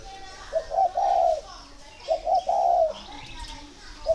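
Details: Captive spotted dove in Ba Vi district, northern Vietnam, giving pairing-readiness calls: two mellow coo phrases, each two quick notes then a long rolling coo, with soft chirps and a voice faintly behind.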